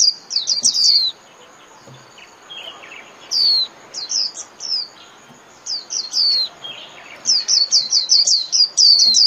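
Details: Líu-style warbling of a Japanese white-eye, used daily as a training song for caged birds: bursts of quick high, down-slurred whistles in tight clusters, broken by short pauses, ending in a fast rattling series.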